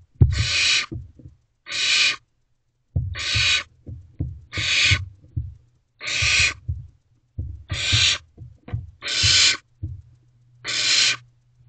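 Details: Barn owl owlet in a nest box at 2:55 am on 15 May 2023, calling to its parents for food: harsh, hissing screeches about half a second long, repeated irregularly, with low scuffling and shuffling noises between them.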